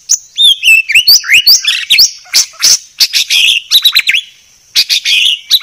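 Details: Murai batu, the white-rumped shama, in clear song: rapid ringing whistles and chirps mixed with harsher buzzy notes, in a continuous energetic stream with one short pause.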